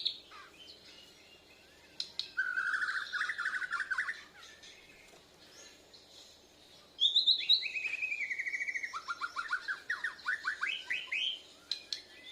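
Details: Borneo white-rumped shama learning to sing, answering a lure recording with chest feathers spread: buzzy trills and fast descending note series in two long bouts, over steady background noise.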